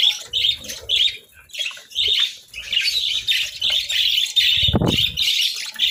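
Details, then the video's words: Budgerigars at a winter breakfast of eggs and bread chirp and squawk in repeated warbled bursts, joined by a sharp clatter or scrape near the end and low knocking sounds. "Breakfast Serenade: Budgies' Melodic Chirps over Boiled Eggs and Breads"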